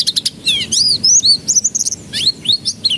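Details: Singing canary played as a lure for juveniles to begin singing: a few fast clicks, then clear swooping and arched whistled notes in quick succession, bright and high.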